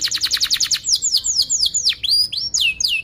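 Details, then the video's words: Canary lure song used to train young canaries: a rapid string of repeated bright notes, then varied descending swoops and sharp chirps. "kenari gacor panjang Cuit Cuit EMOSI, Pancingan Kenari Paud Belajar Bunyi, terapi AMPUH Kenari MACET"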